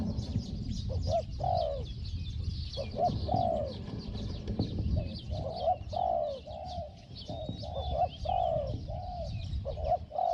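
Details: Spotted dove calling during decoy trapping of a wild bird, its small 'hong hong' voice heard as repeated arched coos, some short and clipped, some drawn out, against low rumble and distant high-pitched chirping.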